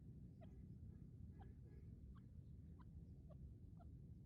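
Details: Francolin hiding in bushes in a forest, giving a series of short, sharp notes repeated about every half second, fairly faint above a steady low rumbling background.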